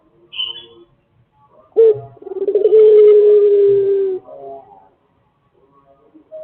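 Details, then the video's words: Pelung chicken crow used as a lure: a stuttering start breaks into a long, smooth tone held for about two seconds before trailing off, with faint calls before and after. "Pancingan bunyi burung pelung gacor"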